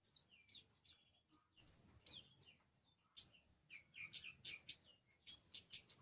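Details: Orange-headed thrush giving scattered soft high notes, one loud clear whistle, then a run of short sharp chirps repeated in quickening succession toward the end.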